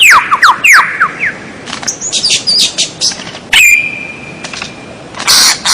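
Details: White-rumped shama song for tutoring captive birds: rapid falling whistled notes, then buzzy high trills and a long steady whistle held about a second, ending in a harsh noisy burst.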